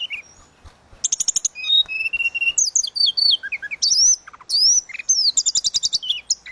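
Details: Suling gacor song of a tledekan laut, meant as a tutor for songbirds: fast rattled trills of repeated chips alternating with looping high whistles and falling slurred notes, delivered almost without pause.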